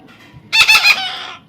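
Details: Short harsh chattering squawk from a baby parrot being tamed, three or four fast grating pulses that trail off into a brief fading rasp.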